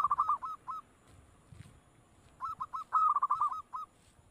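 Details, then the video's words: Zebra dove giving bursts of rapid cooing notes, quieter, with a soft low rumble between phrases. "💯% Suara Perkutut dengar langsung NYAUT...Buktikan!"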